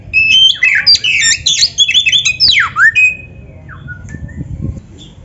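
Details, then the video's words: Oriental magpie-robin delivering a dense, scratchy song used to train caged birds, packed with fast harsh notes and steep downswept whistles, fading into a few soft notes and near silence. "SUARA MASTERAN BURUNG KACER GACOR ‼️ DENGAN FULL ISIAN MEWAH"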